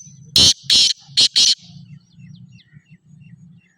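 A black francolin gives four loud, harsh, grating notes in quick succession over about a second, then falls quiet under a low steady hum.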